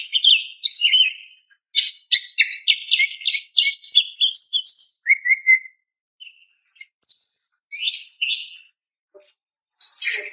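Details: Female greater green leafbird calling to a male: fast chattering run of chirps, a lower whistled note, then separate high whistles and a final buzzy burst.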